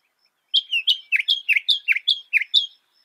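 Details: Northern mockingbird song mimicking other birds: a quick series of sweet whistled slurs alternating rising and dropping notes, about ten notes in two seconds, clean and clear.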